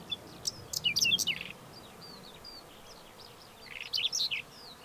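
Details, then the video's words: Whinchat song made of two brief, scratchy twittering phrases of rapid high notes. Each ends abruptly, and a long quiet gap of about two seconds falls between them. "Pokląskwa śpiew"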